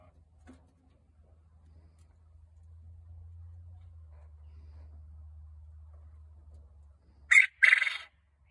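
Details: A Japanese (Coturnix) quail from a backyard flock bursts into a single loud, harsh crow near the end, a clipped first note then a longer buzzy phrase, after several seconds of low hum.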